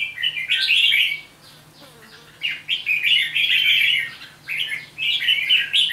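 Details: Wild-caught red-whiskered bulbul from Hòa Bình, kept five days, delivers a near-continuous run of chattering, warbling phrases, with one brief pause midway. A low hum sits beneath the song.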